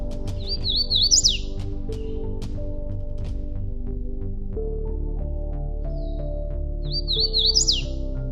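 Hooded Warbler sings two bright, whistled phrases of quick slurred notes, each ending in an emphatic rising flourish, over steady background music.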